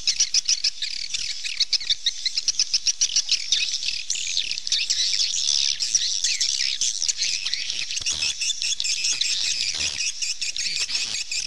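Many swallows twitter at once in a dense, high, chattering chorus of quick overlapping chirps and trills that never pauses.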